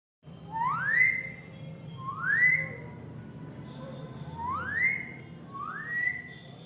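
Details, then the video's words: Alexandrine parakeet in India, West Bengal, Burdwan, described as happy and playful, giving four loud rising whistled calls, each sweeping upward and levelling off, spaced about one to two seconds apart, over a low indoor hum. "The happy playful alexandrine bird"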